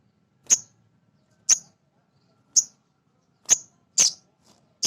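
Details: Male sogon sunbird used as a lure to rouse other caged birds: a steady series of short, piercing high chirps, roughly one per second, six in all, against quiet background.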